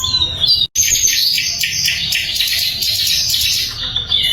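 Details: Sikatan londo flycatcher song recorded as a training recording for murai and other songbirds: a continuous high, scratchy twitter after a short whistle, with a brief break near the start.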